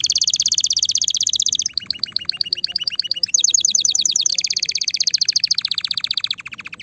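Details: Loud canary singing to prepare females for mating: a string of rapid rolling trills changing pitch every second or two, bright and continuous, over faint low background sound.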